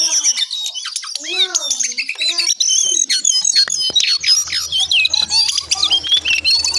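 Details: Early-morning brown songlark song: rising and falling slurred whistles at first, then a dense stream of quick, varied high chirps and squeaky notes, with a faint low hum behind.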